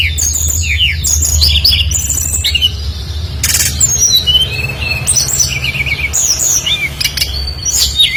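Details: Lively brown-chested jungle flycatcher singing phrases borrowed from other birds, played to trigger other flycatchers: rapid varied chirps, trills and slurred high whistles in quick bursts, one brief noisy rustle, over continuous low hum.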